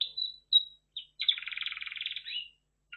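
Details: A red factor canary gives short high whistles, then a buzzy rolling trill lasting about a second, ending in a falling slur.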